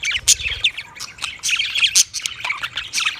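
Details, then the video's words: Budgerigar chattering in quick bursts: high, harsh squawks and rapid chirps with sharp clicks, loud and close throughout. "Funny Budgie | Funny Budgies Sounds"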